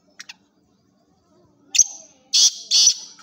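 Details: Black francolin, a chakri tournament bird. A couple of faint ticks, then a sharp scratchy note starts a loud harsh phrase of three grating bursts, strongly repeated and hoarse.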